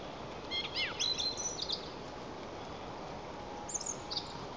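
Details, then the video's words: Song thrush in song at Lower Kama National Park, Tatarstan, April 11, 2024: a rapid burst of high, sharp, twittering notes with swooping whistles, then a short repeated phrase after a pause, amid constant hiss. "The Song Thrush sings"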